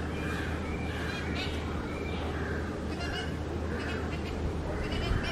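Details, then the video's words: A juvenile Rufous treepie gives its musical call: short, hoarse, slightly honking notes about once a second, over a steady low hum. "Musical call of Rufous treepie juvenile"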